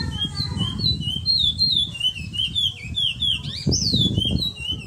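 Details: Eurasian magpie giving a steady string of short, high, wavering whistles, one after another, over a noisy low rumble in the background.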